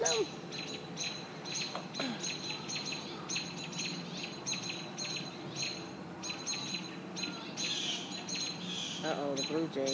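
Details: American robins protecting their nest from a hawk: short, sharp high chirps repeated irregularly several times a second, with a person's exclaiming voice rising briefly near the end.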